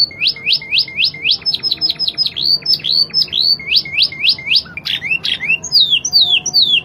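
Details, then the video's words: Spanish Timbrado canary song, fast-changing and clear, meant for tutoring other birds: rapid repeated downslurred chirps, about four per second, later shifting to quicker sweeping notes, with a low background hum. "Kenari spanish timbrado gacor irama mewah ala spanyol"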